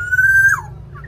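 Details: Javanese black-naped oriole in full song, used as a lure to get caged orioles singing: one steady, clear, flute-like whistle held for half a second, then dropping away in a quick downward slide.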